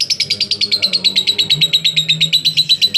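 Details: Lovebird singing a long 'ngekek' in the 'konslet' style, used to lure other lovebirds into singing: high, rapid chattering trill of sharp pulses, about six per second, steady throughout, with a low hum in the background.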